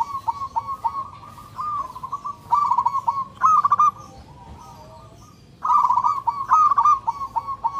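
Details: A local zebra dove seeking a mate delivers loud, ringing song: a run of short repeated coos opens, followed by rapid trilled phrases, a quiet gap, then another energetic stuttering burst closing with spaced single notes.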